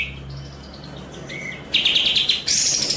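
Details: High chirping and whistles from Eurasian tree sparrow (gereja cililin), recorded to train contest songbirds and possibly mixed with sooty-headed bulbul: faint opening notes and a thin whistle, then loud rapid chattering trills.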